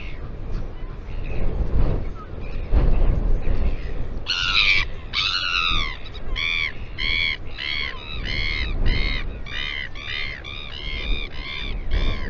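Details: Northern royal albatross calling at the Taiaroa Head breeding colony near Dunedin, New Zealand, on a live camera. After four seconds of wind there is a long series of loud, nasal, arched braying notes, about ten of them, steady and evenly spaced.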